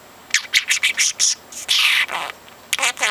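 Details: Four-month-old parrot mimicking talk; short high, breathy syllables in a quick series, then a longer hissy drawn-out sound and a few final clipped notes.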